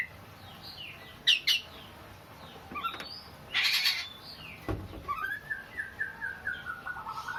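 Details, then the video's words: Oriental magpie-robin in a sobbing style likened to a weeping child: scattered chirps and a harsh noisy burst, then a run of rising whistled notes repeated quickly and evenly to the end. "burung Kacer nangis tersedu"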